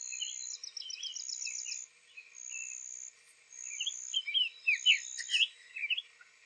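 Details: Summer tanager singing softly on the morning of 3 April 2023 at Owens Spring Tract, Lafayette County, Florida, giving short, slurred, warbling phrases; another tanager nearby, suspected counter-singing, with a steady high insect-like buzz throughout.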